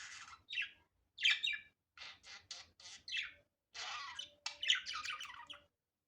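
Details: Budgerigar, recorded naturally without editing, uttering rhythmic scratchy chirps and buzzy rasps in short bursts, a pause near four seconds, then a louder squeaky flurry.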